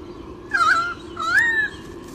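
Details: Nest-camera recording of a white-bellied sea eagle chick, Olympic Park, Sydney, Australia, morning of 30 July 2016: two drawn-out, whining calls, the second rising and longer, separated by a brief pause, over a low constant hum.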